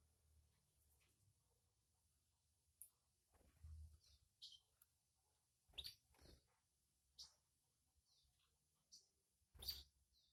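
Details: Canary mother and chick at feeding time. Scattered high, brief chirps come every second or two, mixed with sharp clicks and knocks, over a quiet low hum.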